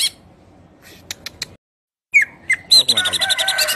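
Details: Greater green leafbird singing; after a few faint scattered chips and a short silence, a falling whistled note leads into a busy, high, rapidly chattering stream of mixed chirps and trills.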